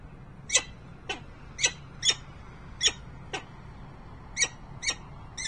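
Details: Harrisburg, Pennsylvania nest, 28 November 2020: a peregrine falcon utters a run of harsh, squeaky, clipped notes roughly every half second, with a short pause midway, over a low hum.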